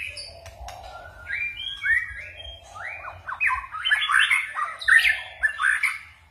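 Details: White-rumped shama song in forest style, starting softly with scattered short whistles, then building into loud, dense, tumbling whistled and warbled phrases; a low hum throughout.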